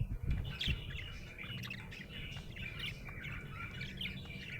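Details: Happy budgie chattering in a continuous, fast, scratchy warble of high twitters and short squeaky notes, with a few low bumps at the start.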